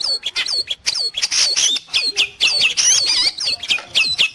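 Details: Long-tailed shrike, locally called cendet or pentet, singing for use in training pet birds or luring wild ones: a dense, fast run of harsh squawks mixed with sharp, high whistled slurs, in bursts with brief pauses.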